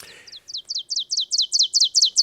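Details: Ovenbird song in Wisconsin in spring: a rapid series of sharp, high, accented two-note 'teacher' phrases, about four a second, growing steadily louder to a ringing finish.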